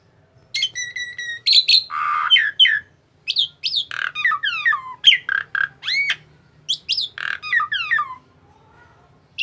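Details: ['Very tame Asian pied starling mixing clear piping whistles, harsh grating squawks and many steeply sliding whistled notes in a lively, rambling sequence that runs for most of nine seconds.']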